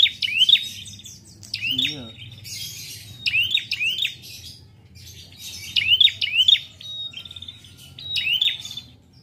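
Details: Caged prinia from a bird keeper's collection singing in the lively two-beat style: high, sharp upswept chirps given in quick pairs, the pairs repeated about every one to two seconds, with faint low background murmur.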